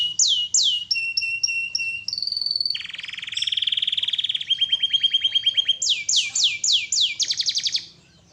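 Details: Canary in full, lively (gacor) song on a master recording: rapid repeated swept notes, then a dense low buzzy roll and a run of quick pulsed trills, closing with bright downslurred notes repeated about three per second.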